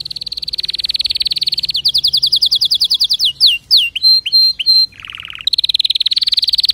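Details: Canary song: a fast, even trill near one pitch that breaks into quick downward-slurred notes and short clipped whistles. A brief lower buzzy phrase follows, then the rapid trill starts again.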